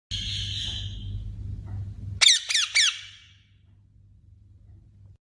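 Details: Parrot giving three loud, harsh squawks in quick succession after a steady hiss-like tone, each call sweeping down in pitch, followed by a low hum in an indoor room.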